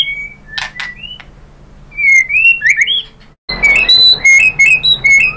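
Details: White-rumped shama song used to stimulate other birds to sing: loud whistled notes and slurred phrases around mid-high pitch, with sharp clicks, a brief gap, then rapid rising and falling whistles.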